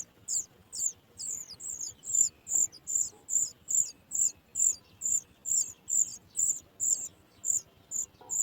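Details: Young sooty chats being fed by parents that bring food from outside; high thin chirps repeated rapidly, about two or three per second, in a steady insistent series.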